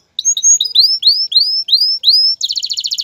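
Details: Male canary song meant to rouse a female for mating and nest building, made of seven rising slurred whistles repeated in a steady series, ending in a dense rapid trill.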